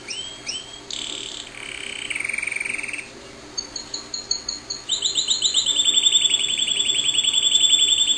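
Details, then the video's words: Pet canary singing: soft rising whistles and short trills at first, then after a brief pause a loud, steady high rolling trill of quickly repeated notes continuing to the end. "Canario cantando/Canary singing"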